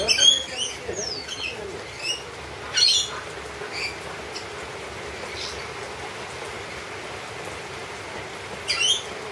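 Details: Brief harsh chattering screeches from wild lorikeets taking honey, clustered at the start, then sparse single squawks with quiet gaps between them.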